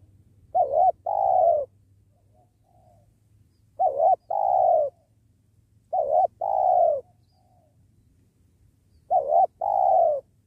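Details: Cooing spotted dove, a strong caller with many notes, recorded while trapping beside a sacred tree: four evenly paced two-part coos, a short wobbly note then a longer steady one, with faint chirps and low hum.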